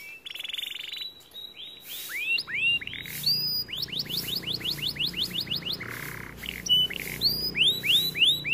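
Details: Bright, varied song from a white canary, mixing a sustained rapid trill with strings of rising whistled notes about three per second and a short low buzzy phrase.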